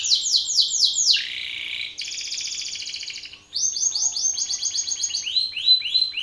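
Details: Belgian canary male singing loudly at a rival male: fast repeated descending whistled syllables around 3–7k range, then buzzy trills and rolling rapid phrases, all loud and clear.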